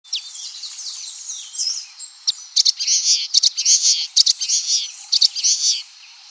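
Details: Common waxbill song, an unedited recording without added effects: bursts of high, buzzy, scratchy notes, sparse at first, then packed into a dense chattering run through the middle and the end.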